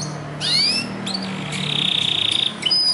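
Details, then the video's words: A Belgian canary sings loudly, with rising whistled phrases, then a fast, even trill lasting about a second, ending in bright high notes. "o canário belga canta muito forte"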